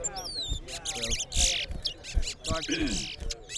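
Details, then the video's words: Towa towa singing in a bird singing competition between two birds: rapid high warbled phrases with looping whistles and wavering trills, dense and loud, over human voices and low thumps. "TOWA TOWA BIRD SINGING COMPETITION"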